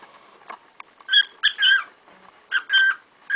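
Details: Indoor cockatiels making a racket: two short bursts of grating, double-toned chirps with a rising note at the end.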